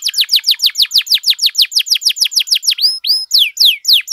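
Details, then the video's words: Vigorous, long-running canary song used for tutoring and for stimulating other canaries: a fast train of high downslurred notes, about three per second, breaking into a few looping rising-then-falling whistles near the end. No other sounds. "KENARI GACOR DURASI PANJANG BUAT MASTERAN DAN PANCINGAN KENARI"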